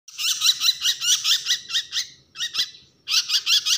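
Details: Bird giving a distress call: rapid series of harsh, squeaky, buzzy notes repeated about four times a second, with two brief pauses, recorded indoors in a small room.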